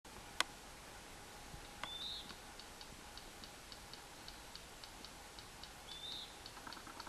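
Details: Yellow rail (Coturnicops noveboracensis) clicking call: a faint, steady series of dry ticks like two pebbles tapped together, with two brief high whistles from another bird through background hiss.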